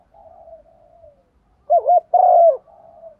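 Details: Female spotted dove decoy calling to attract males in the morning; faint soft humming coos first, then one loud phrase of a quick double note and a sustained, gently falling coo.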